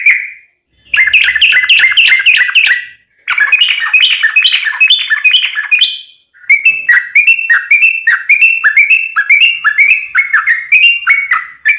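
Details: Sooty-headed bulbul in long continuous song, played as a lure so other bulbuls answer: loud rapid chattering phrases of clear bouncing notes in three bursts separated by brief pauses.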